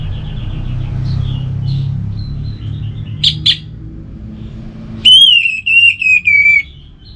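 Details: Soft warbled notes and two sharp clicks, then the orange-headed thrush gives a long, pure, gently falling whistle followed by a few short chirps.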